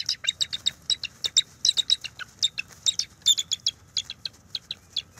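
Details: A mated pair of bald eagles at their large NCTC nest, morning of January 12, 2024, during mating and nest restoration: loud, high staccato chirps in a fast stuttering run of about twenty clipped notes over faint low hum.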